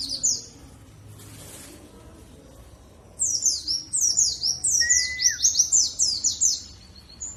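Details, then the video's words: Lure song of a dakun warbling white-eye from Bondowoso, East Java, played to get birds singing: after a brief opening chirp and near silence, a fast run of high, descending chirped notes, with one lower whistled slur midway. "Pancingan Pleci Dakun Jatim Bondowoso supaya ikut bunyi"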